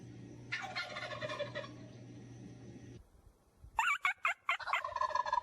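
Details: Turkey gobble as a short rattling burst over a steady low hum, followed after a pause by rapid clicking, chattering notes.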